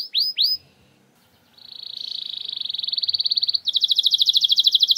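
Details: Canary song played as a lure to get a reluctant canary singing: a few loud swooping chirps, a brief pause, then a rising rapid trill that switches into a higher, faster rattling trill.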